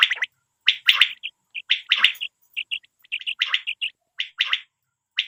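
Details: Quail calling with quick chirpy, buzzy notes, some clustered in pairs or threes and others isolated, about once a second in an irregular rhythm, with no other sounds. The recording is used as a lure for netting.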